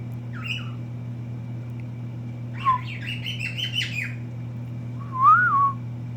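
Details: A pet female cockatiel, eating during the day, whistles back to her owner with short whistled notes, a rising-falling phrase and a final clear upswept whistle, imitating and interacting with him.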